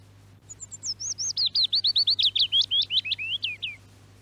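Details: A willow warbler in Norway, from an archival radio recording, sings one sweet, liquid phrase of about twenty quick notes that slide gently downward over three seconds, over a faint low hum.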